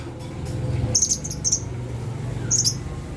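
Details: Lovebird calling used to rouse silent lovebirds: a few clustered high, squeaky chirps in two bursts and a later pair, over a noticeable low-pitched hum.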